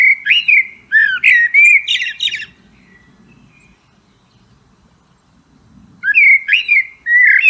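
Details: Blackbird song in the wild: bursts of rich, fluty warbles mixed with thin high squeaky notes, then several seconds of faint background before the next fluted phrase begins.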